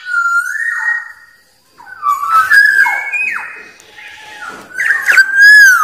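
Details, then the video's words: Fluty whistles of a black-naped oriole: a steady whistled note opening, then a run of varied slurred whistles, and a rising-falling liquid phrase closing the sequence. "SUARA BURUNG KEPODANG"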